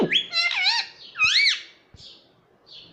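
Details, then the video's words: Pet rose-ringed parakeet indoors, said to talk 'mummy papa': loud warbling, harmonic speech-like syllables in two quick bursts with rising and falling pitch, then fainter short squeaks. "मम्मी पापा बोलने वाला मिट्टू || ringnack parrot talking mithu"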